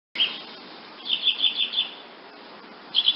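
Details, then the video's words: Woodnymph hummingbird giving high, thin chips: a short opening note, then a quick run of five sharp twittering notes, and a fast burst of three more at the end. The background is quiet. "hummingbird, wood nymph sound effect"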